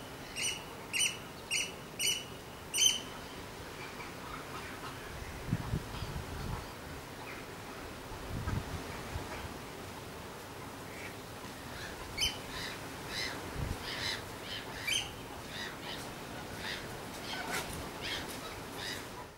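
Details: Oystercatcher; call; parent calling to its chick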